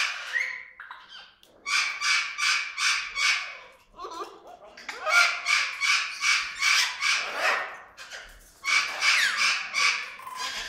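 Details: Orange-winged amazon (Venezuelan amazon) in a parrot boarding home, recorded from 10 metres away, gives contented vocalizing: runs of harsh, raspy bursts, about three a second, with short whistled notes between runs.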